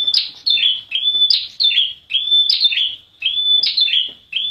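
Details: Repeated prinia phrases, each a level high whistle broken by quick falling chirps, coming roughly once per second against quiet background; prenjak wulung sound played to make prinias call quickly.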